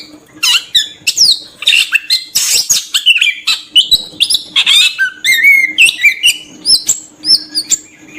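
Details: Oriental magpie-robin (kacer) pouring out a fast, varied lure song meant to attract birds: dense scratchy bursts mixed with bright whistled slurs and trills, against a faint steady hum.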